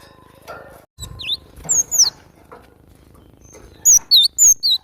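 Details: Cinereous tit in vigorous masteran song: scattered rising and falling whistles, then a loud closing run of four crisp, alternating high and lower slurred notes, with a brief thump near the start.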